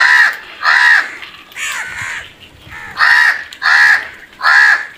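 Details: Crow calling: six loud, harsh, arched caws, each about half a second long, coming in a steady series roughly every 0.7 to 1.5 seconds, with a quieter background between them.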